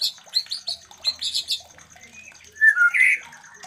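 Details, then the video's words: White-rumped shama mating sounds, used as a lure to stir breeding desire in other captive shamas: a quick run of sharp chirps repeated about every fifth of a second, then a few clear whistled notes sliding up and down. "Terapi Suara Murai Batu Kawin"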